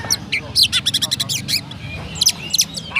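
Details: Captive Oriental magpie-robin from Kendal Rejo, Pemalang, Indonesia, in gereja-style song: a fast rattling run of sharp sparrow-like chips, brief pause, then several louder spaced chirps.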